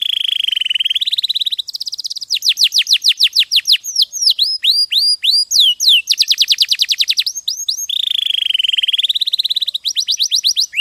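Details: Clear song from a champion canary, meant as tutor song for other birds: a warbling buzzy trill, fast downslurred note series, looping whistled notes, another rolling trill and a second wavering buzz.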